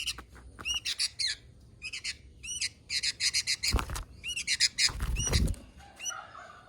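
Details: Kutilang, the sooty-headed bulbul, chattering in quick runs of ringing, slurred chirps. Loud low thumps and rustling cut in midway, and a softer buzzy note comes near the end.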